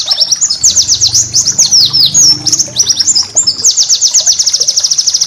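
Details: White-eye song for teaching caged birds: dense high chirps and slurred whistles, ending in a rapid even trill of repeated notes.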